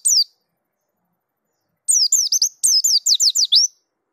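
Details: Dakun white-eye singing in rolling, full-form style, showing its repertoire: a lone high downslurred note, then after a pause a rapid run of sharp, very high falling whistles in two close bursts, with silent background.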